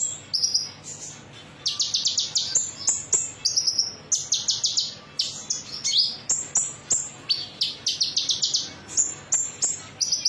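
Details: Konin metalik song used as a lure to prompt other birds to sing: rapid high-pitched chirps and sharp twittering bursts in dense, repeated clusters, with brief pauses between phrases.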